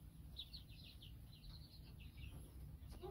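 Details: Domestic chicks from three groups hatched weeks apart, giving fairly faint high, short downslurred peeps in quick irregular runs over a steady low rumble.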